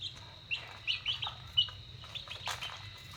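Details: Chicks being fed at dinner time utter a handful of clear, high, falling peeps in a loose series, followed by a short rustling clatter.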